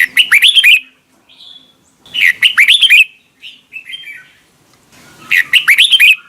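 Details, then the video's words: Red-whiskered bulbul song used to train bulbuls to sing in the morning, in the wild-style double-note manner. Short bright chattering phrases of slurred rising-falling whistles, about every two seconds, with softer notes between. "Luyện giọng cho chào mào hót sáng, ép chào mào hót âm kép già rừng hay tuyệt!"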